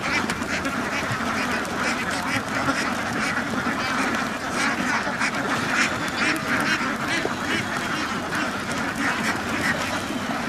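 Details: Numerous ducks in a farm duck house quack together in a raucous, continuous mass of rasping calls that holds steady throughout.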